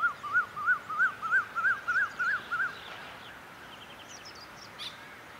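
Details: Eurasian wryneck, a migrant wintering in Thailand from September to March, recorded at Sansai, Chiang Mai, Thailand, on 31 January 2015: a run of about eight nasal, rising-falling notes, roughly three per second, then fainter chirps from other birds.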